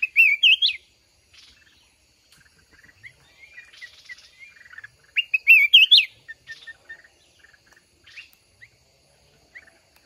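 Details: Trapped mountain red-whiskered bulbul in a trapping fight against a caged decoy: two loud, bright, chirpy warbled phrases about five seconds apart, with faint scattered chirps between them.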